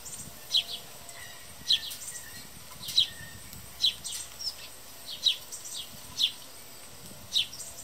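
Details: Wild house sparrows, dozens visiting a backyard bird feeder, feeding and shoving each other off the perches: short high chirps repeated roughly once a second, with faint softer chirping behind and steady background hiss.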